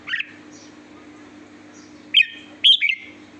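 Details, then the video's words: Red-whiskered bulbul singing with a sweet voice: three short bright chirped phrases, one at the start and two close together near the end, over a steady faint low hum. "chào mào hót giọng hót ngọt lịm"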